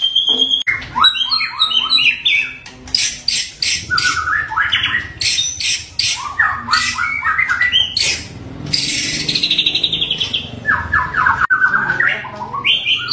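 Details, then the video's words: White-rumped shama in full varied, harsh song meant to provoke other shamas: rapid run of whistled phrases, buzzy rasping bursts and sharp broadband notes, changing pitch and pattern constantly, with short pauses between bursts; no other clear sounds. "MURAI BATU Full Tembakan Variasi Kasar Mewah bikin murai batu lain emosi"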